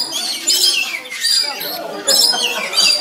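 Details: Lories sitting together give harsh, raspy screeches in quick bursts, about four in three seconds, high and grating, with overlapping chatter.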